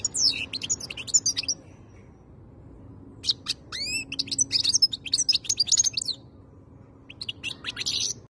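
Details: Goldfinch song in bursts: fast twittering, a series of upward-curving whistled notes, then buzzy trills, with quiet gaps between phrases.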